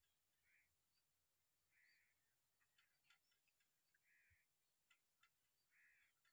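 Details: Jungle babbler hopping about in a tree in summer, giving harsh, nasal squawks, each under half a second and repeated every second or two, over scattered clicks and a steady high insect hum.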